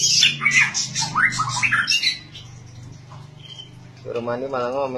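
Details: White-rumped shama in lively song: a quick sequence of sharp, high chattering and sweeping whistled notes over about two seconds, followed by a quieter gap and then a human voice speaking.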